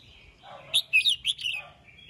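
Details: Morning singing of a red-whiskered bulbul calling the flock: a short, lively warbled phrase of clear, bouncing whistled notes rising and falling in quick succession.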